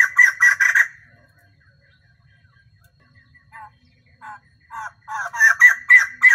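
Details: Female white-crested laughingthrush used as a lure bird to excite males, singing all day: bursts of harsh, chattering notes in rapid groups, a quiet pause with scattered short calls, then loud chattering again.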